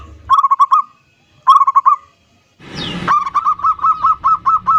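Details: Lure song of a local zebra dove, varied 'ndudut' style, for luring an aggressive rival: two short rattling coo phrases, a loud rustling noise, then a long regular series of quick staccato notes.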